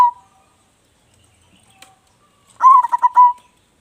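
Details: A loud-voiced local zebra dove sings to spur on other birds. A brief coo at the start, a quiet gap, then one full phrase with a rising note followed by a rapid series of soft rhythmic coos.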